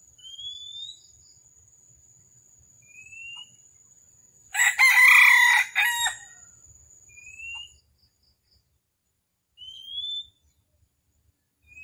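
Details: Red junglefowl (Gallus gallus) at a trapping site on the morning of 13 December 2021 gives one short, harsh, clipped crow among thin rising whistles from another bird and a steady high insect drone.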